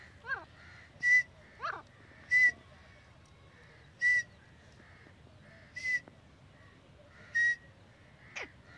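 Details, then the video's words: Grey francolin (Dakhni teetar) calling: loud, sharp ringing whistled notes repeated about every 1.2 seconds, seven in sequence, with faint falling chirps from another bird and a low background hum. "Dakhni teetari"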